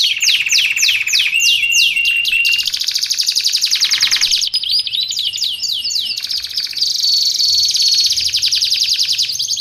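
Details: Canary in a nonstop training and luring recording, singing a fast, varied song: rapid descending whistled sweeps, long buzzy rolls and bright trills, repeated swiftly with no pauses and no other sounds.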